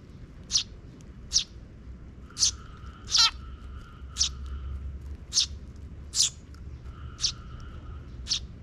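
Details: Sparrows in a park, June 2023, where chicks come after the parents scout ahead. About ten short, high chirps scattered over nearly nine seconds, one louder and rougher, over a low steady hum.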